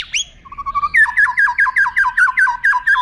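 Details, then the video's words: White-rumped shama tutor song with long standout phrases meant for contest birds to copy: a high squeaky opening and short low whistles, then a rapid, regular series of about fifteen identical falling two-part notes. "MASTERAN "MURAI BATU" dg TONJOLAN PANJANG agar cepat ditiru burung KONTES"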